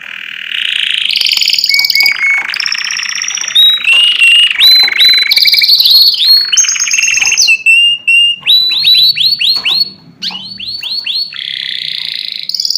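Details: Powerful canary song for other birds to hear: a loud, varied run of whistled trills and buzzy rolls, switching pitch every second or two, with rapid falling chip series and sweeping notes toward the end.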